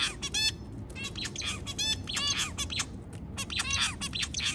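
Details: White zebra finch calling early in the morning with nasal, honking beeps rich in overtones, some stuttered in quick runs, over a continuous low background hum.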